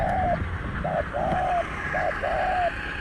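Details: Spotted Dove cooing during a luring session with a caged decoy at a set spot: a short note and then longer drawn-out coos, repeated in quick succession, over steady low rumbling background noise.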